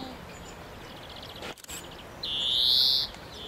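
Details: European greenfinch in Cordoba, Spain, in April 2011: a quick run of soft twittering notes, then a loud, drawn-out nasal wheeze rising slightly over almost a second, over faint background hiss.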